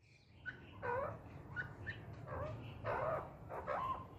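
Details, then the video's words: A grey francolin (teetar) gives loud, ringing notes that rise and fall, in uneven bursts about once a second, over a low background rumble. "Grey Francolin Calling Sounds | Teetar ki Awaz"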